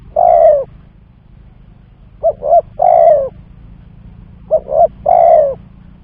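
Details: Trapping lure of a spotted dove: a long falling coo, then two full phrases of two short coos plus a drawn-out coo, repeated roughly every two and a half seconds over a faint low hum.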